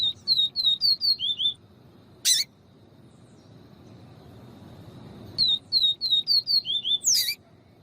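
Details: Double-collared seedeater singing in the viviti style, with a female calling to excite the male: two phrases of about eight high, clear, down-slurred whistles each, separated by a quiet gap with one sharp click.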